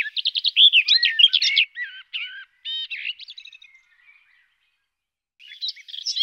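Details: Garden warbler (Sylvia borin) delivering a fast, rich, scratchy warble of mixed chattering and fluty notes for nearly two seconds, then slower separate phrases tailing off, before another burst begins after a short silence.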